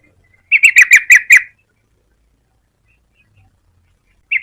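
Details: A yellow-vented bulbul (Pycnonotus goiavier) gives a quick bubbly run of about six liquid notes in one second, then after a pause of nearly three seconds begins another phrase.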